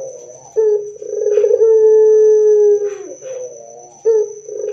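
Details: Loud Barbary dove coo, sung to prompt other doves to answer: a short note, then a rolling burred phrase drawn into a long steady low hum, with a new coo starting near the end. A thin, steady high-pitched whine runs throughout.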